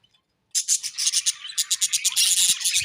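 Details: Budgerigars chirping: a dense run of rapid, high scratchy chirps and warbles beginning after a half-second pause, pulsing several times a second and merging into continuous chatter toward the end.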